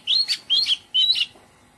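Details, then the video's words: Short excerpt of Oriental magpie-robin song in a garden: three loud whistled phrases, each a sliding note ending in a brief rough flourish, spaced under half a second apart. "Oriental Magpie Robin - Melodious birdsong"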